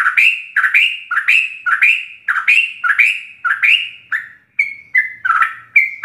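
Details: A ropelan song of a sooty-headed bulbul, used to train captive birds: rising whistled notes repeated about twice a second with a harsh edge, then a few cleaner steady whistles after a brief break.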